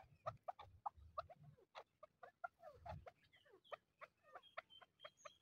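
A chukar pair gives a quick run of hoarse clucking chuck notes, several per second, turning to higher squeaky notes near the end, over low background rumble.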